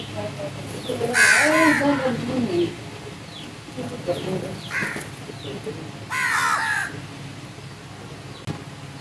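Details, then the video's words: Crows calling: a long, harsh, grating caw near the start and another loud rasping caw later, with softer fragments and rustling noise between them. "Crows sounds"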